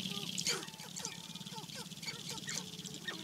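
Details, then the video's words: Displaying male Sharp-tailed Grouse at a spring lek in the Namekagon Barrens, Wisconsin. Quick, downward-sliding clucks repeat rapidly over a constant high-pitched hiss and a low hum. "Sharp-tailed Grouse Lek"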